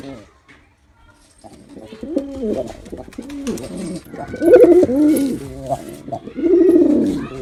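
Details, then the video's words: Performing male pigeon coos in a series of rolling, low, throaty phrases that swell in loudness, with brief quiet gaps and light rustling between them. "Male Pigeon Super Performance || Male Pigeon Sound"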